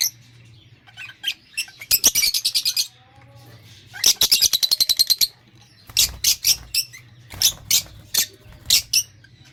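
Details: Several lovebirds giving high, squeaky chirps in three separate bursts of quick repeated notes, each burst lasting about a second, with quieter single calls between and a low hum underneath.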